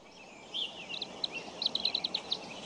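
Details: Bald eagle sound recorded at the Decorah eagles nest on 14 April 2012, where eaglets are being raised: a short series of high, sharp chirps, closely spaced and quickening in the second half, above a steady background hiss.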